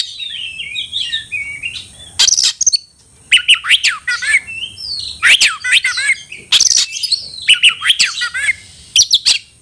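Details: Oriental magpie-robin calling a rival to fight, singing full-throated with tail spread: loud harsh bursts alternating with quick falling whistles and chirp phrases, separated by short gaps, over a faint steady high hiss.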